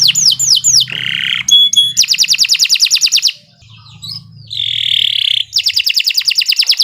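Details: Canary singing long and loud, recorded as a tutor song for young birds: rapid falling whistled swoops, then buzzy bursts and fast metallic trills repeated about three times a second, with a brief pause and a low steady hum beneath.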